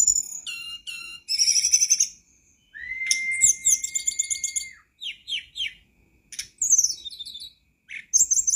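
A flycatcher sings high, varied phrases of sharp chips, trills and falling notes, with one long steady whistle in the middle; no other sounds stand out.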